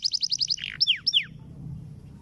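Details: Caged canary singing a training roll: six quick repeated notes, then three loud downward-sweeping slurs, fading into a low hum.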